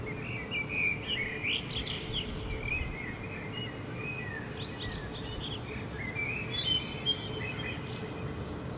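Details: Common blackbird singing at night in Helsinki, Finland, in July 2016, as the full moon sets over the rooftops: mellow fluted phrases and twittery flourishes come one after another over a steady low city hum.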